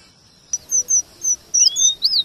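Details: Short burst of a male red avadavat's rolling song, combined with white-rumped shama material for training shamas: after silence, several thin high flat whistles, then a rising slur and an arched note.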